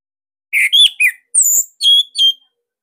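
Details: Captive Bali orange-headed thrush gives a short loud phrase of six separate notes: low buzzy whistles first, then a high thin note and two level ringing whistles, in the tight 'sirtu' style used as master song.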